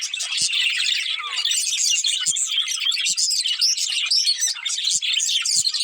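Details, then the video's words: Budgies from a breeding pair keep up nonstop bright chatter, overlapping quick tweets and warbles, with a few soft low knocks in the background. "Cute Budgies Chirping Sounds"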